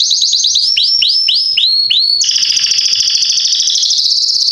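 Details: Loud song of a Belgian canary (Salsa line), a bird valued for tutoring chicks: a run of quick upward-curving whistles followed by a steady, dense rolling trill.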